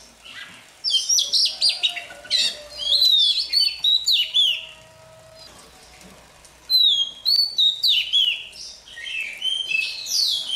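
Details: Oriental magpie-robin, newly caught, singing its morning warm-up: two long bouts of fast, loud whistled phrases with sharp upslurs and quick trills, separated by a quieter pause of a few seconds.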